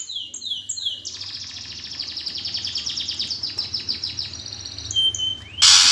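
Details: Gereja-style fighting song of a greater green leafbird, meant to spur competition birds into singing. Several high downslurred notes lead into a long, rapid trill of falling sweeps, closed by a sudden loud harsh burst. Faint low background hum.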